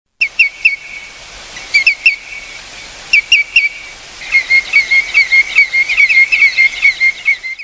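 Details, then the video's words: Common greenshank giving loud, ringing 'tew-tew-tew' notes in quick triplets, then a longer, faster run of repeated notes over a faint steady high tone. "Greenshank Bird Call"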